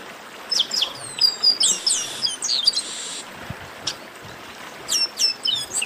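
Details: Several chestnut-capped blackbirds chattering, played to warm up singing birds: high, sharp chirps and a buzzy, smeared passage, then spaced, repeated falling notes near the end.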